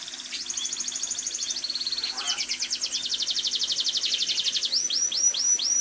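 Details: A captive munia sings a fast, canary-like song of high rapid trills and rattling phrases, ending in rising whistled notes, over faint background hiss.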